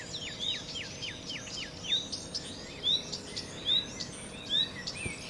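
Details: Common redstart: a fast string of about six falling hooked notes, followed by scattered sharp high chirps roughly once a second.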